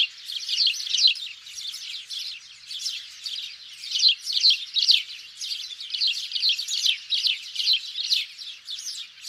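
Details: Hunting-lure recording of house sparrows, a flock-like stream of sharp, bright chirps tumbling over one another without pause, with recurring louder peaks roughly twice a second and no background noise.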